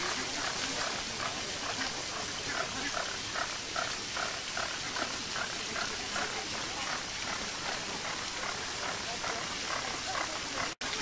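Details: A flock of flamingos at a UK zoo produces a dense stream of short honks, evenly paced at about two or three per second, all over a broad wash of fountain spray.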